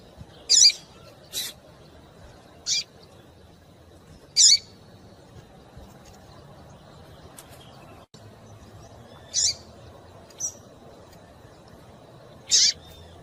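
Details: A female Double-collared seedeater gives thin, high, sharp call notes, about seven in thirteen seconds at uneven intervals, over a low steady background hum. These female calls are used to stir males into singing.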